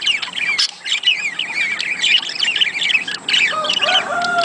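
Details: Budgerigar warbling intended to stimulate mating: a lively run of chirruping, slurred high notes. Toward the end come a few lower, drawn-out whistled tones.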